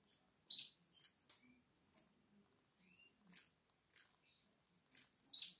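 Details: A seven-day-old canary chick, eyes not yet open, in the nest gives thin, high squeaky peeps, two louder ones about five seconds apart, with fainter short whistles and soft clicks between.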